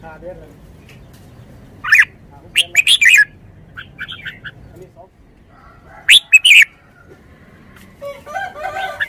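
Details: Red-whiskered bulbul kept as a caged decoy bird, singing sparse clusters of bright slurred whistles with long quiet gaps, with faint warbled notes near the end.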